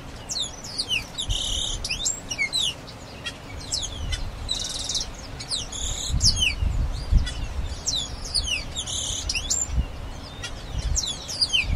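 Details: Grayish baywing song: bursts of sharp, steeply sweeping high notes with a buzzy, rattling block, phrases returning about every three seconds over low rumbling background noise.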